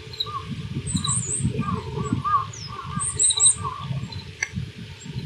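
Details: Oriental greenfinch singing in spring at Yuzawa Central Park on 14 March 2026; varied high twittering and short buzzy notes come in scattered bursts, with a steady low rumbling background noise throughout.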